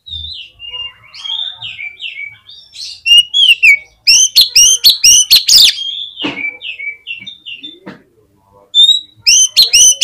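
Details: Singing Oriental magpie-robin, used to make other magpie-robins sing: chains of descending whistled notes alternate with loud, harsh, rapidly repeated bursts, with a short pause before a final fast, loud series.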